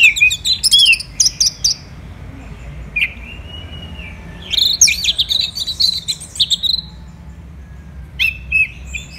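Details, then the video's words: Orange-headed thrush delivering rapid, rattling high chirp series. A long flat whistle and a quieter pause separate them from a dense, buzzy tumble of notes. "ANIS MERAH Gacor"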